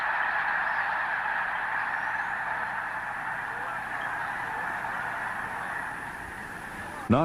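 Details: A huge flock of migrating snow geese, white and some blue-morph birds, in the Platte valley with its corn fields in late winter, makes a steady, roaring din of overlapping nasal honks, with a man's voice narrating over it.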